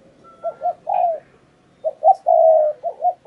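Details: Decoy spotted dove calling from a tree to lure a wild dove: low rhythmic coos in two phrases, each with a long smooth central note, plus a faint thin whistle early on.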